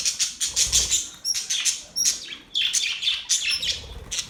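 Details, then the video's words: Budgerigars chirping happily in a quick sequence of sharp, high squeaks and clicking chatter, bursts arriving about every half second. "Budgies Birds Happy sounds | Budgies birds chirping sounds"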